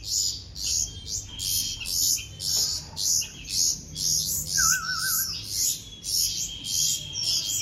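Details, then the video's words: Baby bulbuls beg during hand-feeding, harsh hissing chirps pulsing regularly about twice a second, a thin steady whistle and a brief wavering trill midway. "Hand Feeding Baby Birds - Bulbul Birds"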